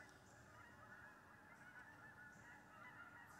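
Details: October 25th morning: a flock of geese settling onto a wheat pasture, observed from a deer stand. Continuous nasal honking from many birds, with individual calls standing out now and then over the distant clamor.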